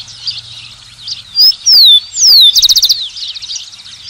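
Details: Rufous-collared sparrow (Zonotrichia capensis) singing: two loud slurred whistles sliding downward, then a fast dry trill of about eight notes, over a steady background chorus of softer chirping birds.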